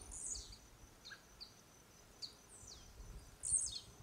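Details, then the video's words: Male blue-black grassquit singing during display jumps, linked to courting females and competing with males, near RPPN das Araucárias Gigantes, Itaiópolis, Santa Catarina; thin, very high buzzy downslurred notes given in short bursts, strongest near the start and end, over faint low rumble. "Canto do TIZIU - Cantando e saltando"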